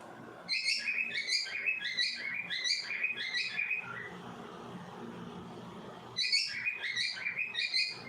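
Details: Two baby cockatiels give rapid, scratchy chirps, about three per second, in bursts separated by a pause of several seconds, with light room noise.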